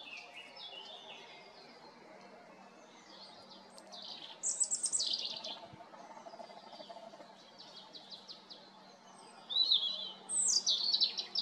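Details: A European robin singing in spring gives thin, high, tumbling phrases of sweet notes and fast trills, separated by short pauses, over faint distant birdsong and a low hum.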